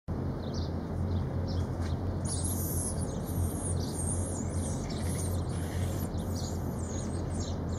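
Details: A Madagascan hoopoe feeding its chicks: a rapid series of thin, hissy, very high chirps, each about half a second long, over a steady low rumble.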